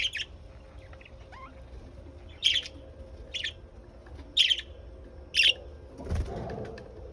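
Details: Lovebirds uttering short, sharp, shrill squawks roughly once a second in an irregular series of five, with a faint thin whistle early on and a low thump near the end.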